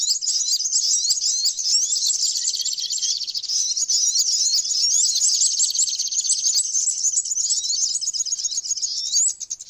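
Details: Flowerpecker singing a fast, unbroken stream of sharp, very high tweets and tiny upslurred notes, about two and a half per second, tailing off at the end.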